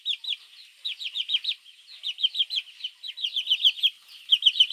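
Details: Several baby chicks peep for their mother in the morning; shrill descending chirps pour out in rapid clusters of three to six, with brief pauses between, used as a mongoose lure call.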